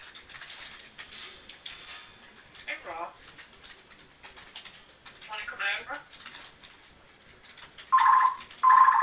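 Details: Male Congo African grey parrot, bought at seven years old, talking alone in a room; mimicked human-like phrases come as breathy, speech-like bursts and are followed by two loud, clipped tonal squawks near the end.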